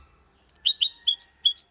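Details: Goldfinch × canary hybrid singing in the Malaga style; a short sequence of about seven separate high whistled and rising chirps.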